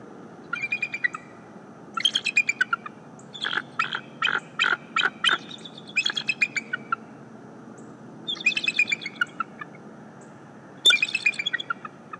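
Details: Live nest camera footage of a bald eagle's morning greeting: repeated bouts of high, ringing chirps and chattering notes, some quick staccato runs, spread over twelve seconds with brief quiet gaps and steady hiss.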